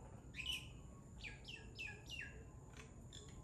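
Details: Common myna recorded at 9.02 in the morning on 23 October 2021 in Nawala, Sri Lanka: a run of about five clear, high notes, each sliding downward, spaced roughly a third of a second apart, over a quiet background hum.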